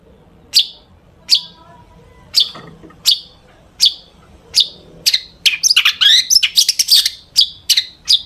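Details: Long-tailed shrike packed with imitated phrases, sung to provoke other shrikes to sing: sharp single chips spaced under a second apart, breaking into a dense, scratchy jumble of chattering notes, then back to chips.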